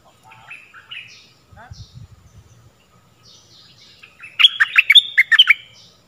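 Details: Stripe-throated bulbul song used to teach young birds and lure wild birds: soft scattered warbles and a low rustle, then a loud burst of rich, bubbling, fast notes near the end.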